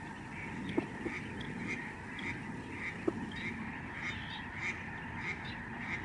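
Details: Lesser Snow Geese calling in a big flock in the sky over George C. Reifel Migratory Bird Sanctuary, Canada, November 2011: distinct high nasal honks repeat over a continuous flock murmur, with two sharp clicks early on.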